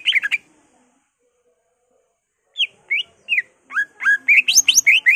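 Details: Greater green leafbird singing with mimicked phrases of other birds such as magpie-robin and canary: a short fast burst, a silence of two seconds, then spaced downslurred whistles building into a quick run of rising notes.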